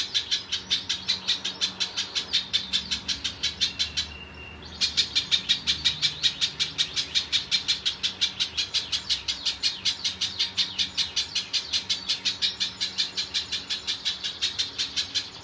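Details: Spiderhunter (pijantung) singing as a master bird for training songbirds, a steady rapid run of high, sharp repeated chips about three per second with one brief break, faint vehicle hum behind.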